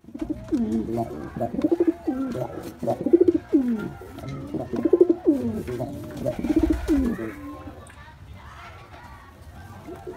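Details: Performing male white pigeon cooing: a run of deep, pulsing coo phrases about every one to one and a half seconds, fading after eight seconds into quieter background sounds in a small room.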